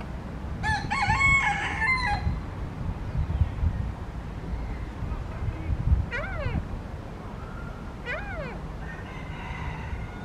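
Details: Yellow-legged gulls, two birds at the picnic area of Parque Marechal Carmona in Cascais, waiting for scraps of chips to fall: a long harsh harmonic call, then pairs of short down-slurred yelps near six and eight seconds, with faint background rumble.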